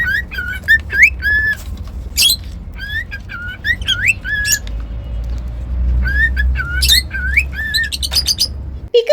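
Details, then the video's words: Pet cockatiel whistling series of rising, curving notes and sharp chirps in several bursts, with soft low background noise and a brief click near the end. "Cockatiel whistling sounds"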